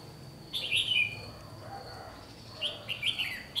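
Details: Red-whiskered bulbul at a trapping session on 1 July 2020 gives two quick, chirpy warbled phrases separated by a pause. A thin, steady high-pitched whine continues underneath.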